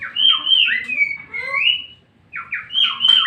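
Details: White-rumped shama song played to provoke another shama into singing: loud, rich whistled phrases sliding up and down, a brief pause, then more fluty slurred notes over a faint low background hum.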